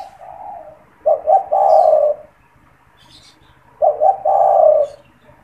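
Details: Caged spotted dove that calls whenever people come near, used to lure wild doves; two matching phrases of short stuttered coos running into a long husky note, spaced about three seconds apart, light background chirps.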